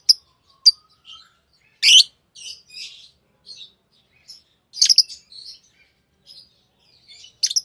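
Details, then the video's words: Tame lovebirds: sparse high, short chirps, one loud grating screech, and scattered soft twitters, with louder chatter returning at the end. "Love birds Sounds | lovebirds chirping sounds"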